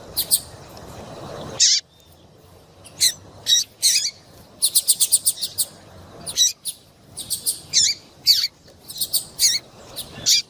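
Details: Female double-collared seedeater (papa-capim) calling, intended to warm up a male to sing; bursts of quick high chirps, some in fast runs of five or six, with short pauses between groups.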